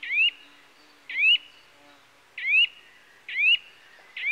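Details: A Eurasian nuthatch (Sitta europaea) repeats a sharp, rising whistle about once a second, five notes in all. Each has a slight buzzy edge at the start before sweeping cleanly up.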